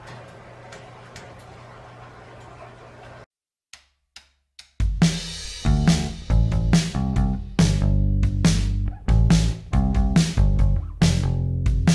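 A quiet hum and a few soft clicks give way to a loud drum-kit beat with bass and snare, and no animal voice comes through.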